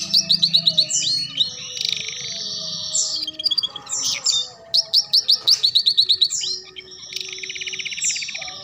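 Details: Canary song used as a training recording for young canaries learning the ngeriwik trill: rapid high whistled trills and chattering phrases, notes repeated several times a second, with buzzy rolls and short gaps.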